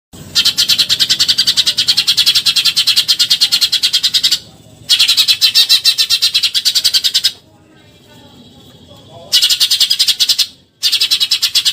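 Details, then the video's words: Eurasian tree sparrow giving the rapid 'tembakan nyerecet' chatter used as tutor material for contest birds: long bursts of harsh, buzzy chirps at about ten notes per second, several seconds each, separated by short quiet gaps. "MASTERAN TEMBAKAN NYERECET BURUNG GEREJA"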